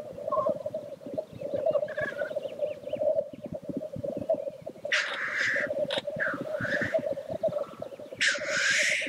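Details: Black grouse lek. The low gurgling cooing is constant. Harsh breathy sneezing hisses come in a cluster in the second half, with a few faint higher notes early on.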